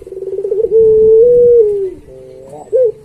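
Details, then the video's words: Master recording of a puter pelung Barbary dove for tutoring other doves. A stuttering pulsed coo opens, then a long smooth hoot rises slightly and sags, ending with a short upturned note. "Suara Masteran Puter Pelung Gacor Paling Bagus"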